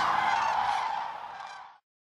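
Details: Common cranes dancing at Hornborgasjön, Västergötland, Sweden, in April 2009, filmed on a Canon XL2: one loud, harsh, harmonic-rich trumpeting call lasting under two seconds, fading and then cut off.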